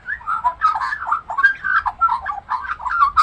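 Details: Talking Australian magpie singing and mimicking other birds: a continuous warbling stream of fluty, gurgling whistles and slurred notes of varied pitch, with soft low rumble underneath.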